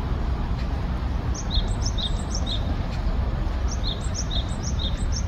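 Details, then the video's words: Japanese tit singing in spring to find a mate: high, thin two-note whistled phrases, each dropping from the higher note to the lower. The phrases come in two runs of about four repeats over a steady low rumble. "짝을 찾는 박새 소리"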